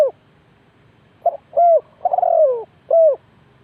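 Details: Spotted dove calling as a trap decoy, Ninh Thuận. After a silence comes a quick stutter, an arched coo, then a long descending throaty coo and a final arched note. The background is quiet.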